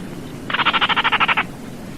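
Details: Single rasping rattle by a Baillon's crake: around thirteen evenly spaced dry clicks delivered within one second, frog-like in quality, over quiet hiss.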